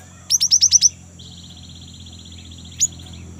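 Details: Lure recording of a young great tit's rolling song: six rapid high descending chirps, then a long, soft, buzzy trill running for about two seconds, broken by one more sharp high note.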